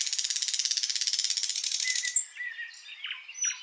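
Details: Flycatcher (sikatan londo) singing long and continuously in a master recording for tutoring other birds: a rapid, buzzy high rattle of evenly spaced pulses for two seconds, then scattered thin whistles and short slurred notes.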